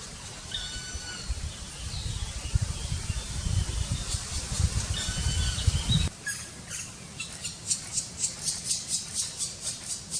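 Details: Black Woodpecker (Dryocopus martius) chicks being fed beg with high, shrill calls in Kras-Karst, Slovenia, May 2018. A heavy low rumble fills the first half, then a rapid series of about four calls a second.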